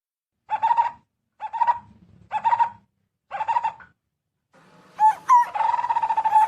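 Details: Barbet calling its companions to come and eat ripe fruit: four short, hoarse, harmonically rich notes, evenly spaced about once a second, then a denser run of overlapping, buzzy notes.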